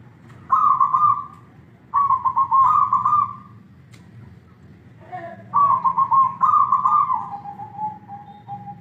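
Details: Zebra dove, a pet bird, cooing: rolling, trilled coo phrases, one ending in a long, gently falling drawn-out note, set against a constant low hum.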